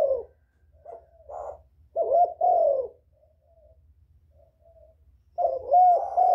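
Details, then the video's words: Low, throaty coos of a spotted dove used to lure others: soft scattered notes, then a strong two-note coo with a drawn-out tail, faint murmurs in a pause, and a fresh loud phrase at the end. "Tiếng chim cu gáy kích bổi mau nổi, cu gáy kích mồi hay"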